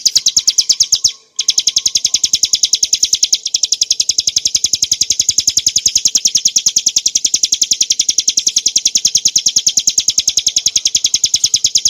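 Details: Mountain form of the bar-winged prinia, Prinia familiaris montana, singing a clear ngebren nembak song for cage-bird training: a long, rapid run of piercing high chirps, briefly interrupted near the start, then continuing evenly.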